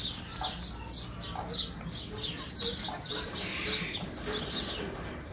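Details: Rüppell's griffon vultures (Gyps rueppelli) at a bird park in Malta give harsh, rasping squeals and cackles, several birds overlapping in a steady, noisy squabble with hissing undertones.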